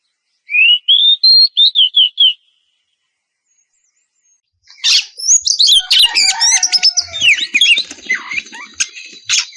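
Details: Oriental magpie-robin female in breeding condition calling the male: a short run of clear rising whistles for two seconds, a pause, then a dense burst of varied chattering and whistled notes.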